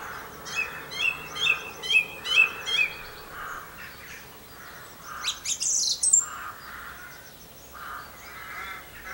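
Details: Song thrush singing in Campbeltown, April 2012: a fast, chattering phrase repeated several times, then a shrill high burst, with softer, lower repeated notes continuing afterwards.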